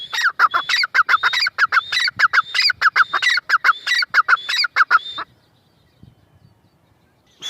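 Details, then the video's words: Grey francolin (teetar) calling: loud, harsh, ringing notes repeated rapidly in a fast rhythmic series for about five seconds, then near silence until one final note at the very end. "Teetar voice | gray francolin teetar sound | teetar ki boli | mada teetar ki awaz"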